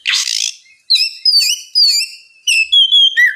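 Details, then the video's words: Oriental magpie-robin with relaxed 'ngeplong' song used to coax a reluctant bird. A loud harsh burst opens, then bright high whistles, some held and wavering, others short and falling. "terapi kacer ngeplong santai, pancingankacer bahan malas bunyi supaya cepat nyaut gacor"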